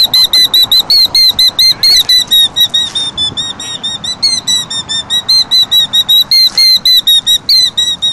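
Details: Agitated killdeer guarding its nest with eggs among rocks against an intruder cries shrill, piercing high notes over and over, about three each second, in an unbroken stream above a faint low rumble.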